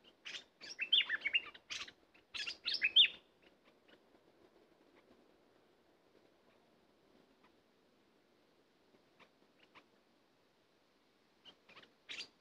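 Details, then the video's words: Bulbul singing during a session to draw in wild birds: two loud, rich, warbling phrases in the first three seconds, then near silence with faint scattered ticks, and a brief burst of notes near the end. "Burung merbah lekir bay hoach thom gacor bahanan"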